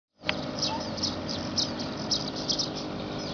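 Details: A male Asian golden weaver in breeding plumage sings at Thung Bang Jack road, Petchaburi, Thailand, in June 2009, giving short, high, thin chirps about every half second over a steady hiss and low rumble.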